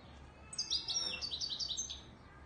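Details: European goldfinch of the Moroccan Widani Marrakchi type in song, a quick, high, tinkling series of slurred twitters lasting under two seconds.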